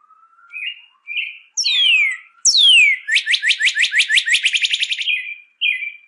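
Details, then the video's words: Northern cardinal song meant to teach caged birds: soft buzzy notes, two loud whistles gliding steeply down, then a quick rolling trill of many repeated notes, closing with brief buzzy phrases. "CARDENAL ROJO: ENSEÑA A TU AVE A CANTAR CON ESTE AUDIO"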